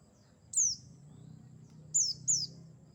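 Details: Buxtoni Mountain white-eye trapping lure: one thin, high, falling whistle, a pause of over a second, then two quick matching notes in succession, with soft low background hum.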